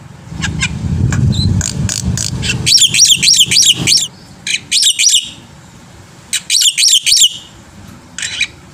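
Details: Black-winged myna in energetic full song, used to lure other birds into singing: bursts of harsh, buzzy, high chattering notes in rapid groups, with short pauses between phrases and a low rumble early on.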